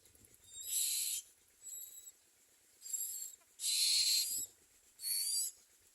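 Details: Common myna chicks in the nest, reportedly not eating, give harsh, hissing rasps in five high, scratchy bursts of about half a second each, roughly one a second, over a quiet background.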